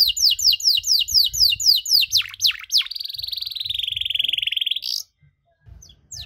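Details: Canary in cengkok song meant to provoke other canaries: repeated falling whistles, a few deep swoops, then a long even buzzy trill held for two seconds, followed by silence.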